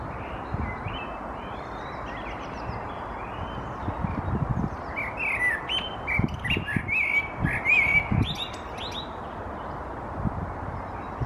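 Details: A Common Blackbird perched in a tree in Helsinki, Finland, in May 2022 sings short, mellow fluted phrases that break into higher twittering notes, over a steady low rumble of wind or distant traffic.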